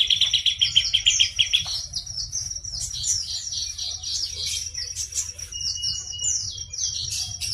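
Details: Lively buff-breasted babbler song opening with a rapid, rattling trill lasting over a second, followed by dense, chattering high phrases of scratchy and sweeping notes, with a constant low hum in the background.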